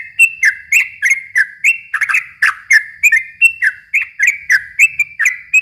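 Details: Yellow-vented bulbul, long 'ropel panjang' song used to stimulate young birds; rapid chain of rising and falling liquid notes, each tipped with a bright high click, steady rhythm throughout.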